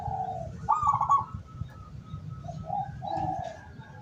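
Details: Local decoy zebra dove used to lure wild doves, recorded 17 August 2023. One brief bright trilled coo followed by softer, lower mellow coo notes, over a quiet low rumble.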